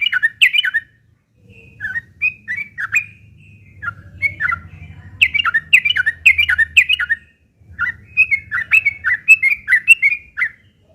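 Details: Yellow-vented bulbul giving a harsh fighting song, meant as a lure so other birds respond; rapid bubbly, slurred notes in bursts of several phrases, one brief pause midway, faint low hum underneath.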